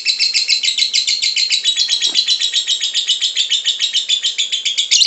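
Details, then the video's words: Continuous, loud, squeaky chattering from a lovebird, with quick, harsh chirps packed closely together and no pauses. The sound serves as bait audio to get other lovebirds singing ngekek. "LOVEBIRD SINGING"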